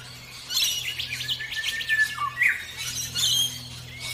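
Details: Orange-breasted bunting chirping in the morning, a busy run of short buzzy notes and quick slurred chirps rising and falling, with a steady low hum underneath.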